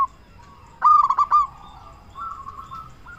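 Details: Local zebra dove from Indonesia, a lively singer used to make other doves respond. One loud burst of four or five quick, ringing coos, then a softer, fluttering run of notes and a last short coo.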